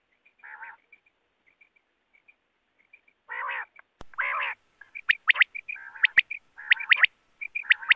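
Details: Quail sound for catching wild quail with nets: low nasal buzzy bursts and faint high pips at first, then sharp rising whistled triplets mixed with raspy notes; two loud clicks break the quiet.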